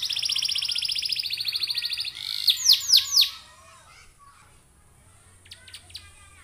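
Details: Canary song meant to stimulate other canaries into singing: a long fast high trill, then four loud downswept whistles, followed by quiet scattered chirps.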